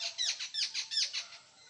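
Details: Jungle babbler, locally called kekati, in the Konkan region of India: a quick run of about six harsh, squeaky, nasal notes spaced about a fifth of a second apart, fading at the end.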